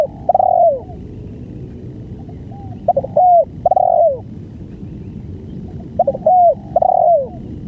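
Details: Spotted dove singing its banggo song over a long recording. Phrases of clipped short coos leading into long, mellow, downward-curving coos repeat about every three seconds, with faint cooing behind.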